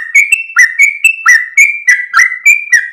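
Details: Sooty-headed bulbul, tail wagging at dawn, singing gacor ropel. A quick, lively string of about ten ringing whistled notes in three seconds, each a short upward flick followed by a level tone.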